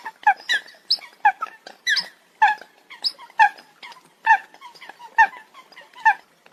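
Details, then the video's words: Eurasian coots uttering loud, short, honking calls about once a second in an irregular rhythm, with quieter birds calling in the gaps. "Tiếng Chim sâm cầm"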